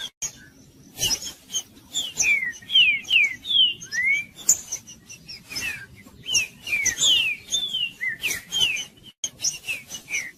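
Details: Green-winged saltator in Judas-style song, played to stir a quiet bird into singing: a lively run of clear slurred whistles, rising and falling, delivered about two per second, with scattered sharp clicks behind.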